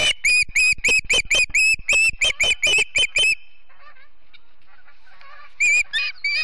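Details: Montana ospreys at the Charlo nest, 7 September 2016, live stream: a fast, even string of about a dozen shrill chirps over three seconds, a pause, then a few more whistled calls.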